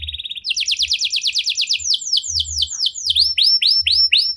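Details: Canary singing 'cengkok mewah' style, used to draw other canaries into song: a short high buzz, a fast trill of falling notes, then spaced hooked whistles about two per second, with low thuds in the background.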